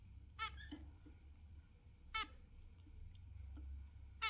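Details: An exhibition pair of zebra finches in the morning sun in the UK: short nasal, harmonic-rich beeps, singly or in quick pairs, spaced over a few seconds against a low steady hum.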